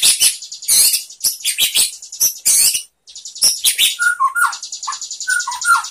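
White-rumped shama giving a loud, varied song of sharp chips, rapid buzzy trills and fluty whistled phrases, with a brief pause midway.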